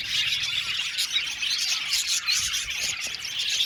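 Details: Aviary budgie colony singing, many overlapping high chirps, squeaks and warbled chatter forming a constant bright din.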